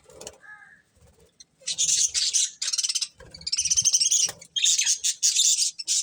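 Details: Budgerigars, a breeding pair, in loud buzzy chattering bouts of fast rattled high notes, separated by short silences, after a soft opening whistle.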